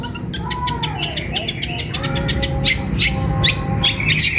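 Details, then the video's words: Caged long-tailed shrike taken outside in the morning to keep it healthy and singing: rapid dry clicks and chirps over a rising-falling whistled tone, with steady low background noise. "Cendet keluar pagi pagi agar sehat dan gacor"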